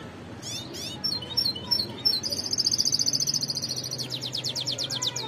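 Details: Goldfinch of the white-throated variety singing: quick high chirps and twittering notes open the phrase, followed by a long, rapid, buzzy trill and then a faster rattling series of high notes over a low background hum.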